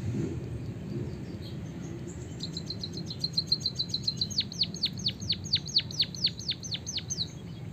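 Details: White-headed munia from Java, its song filled with canary song in a long roll, used as a tutor to stimulate other birds to sing: a fast high trill, then rhythmic downward-sweeping whistles repeated about every third of a second over low steady hum.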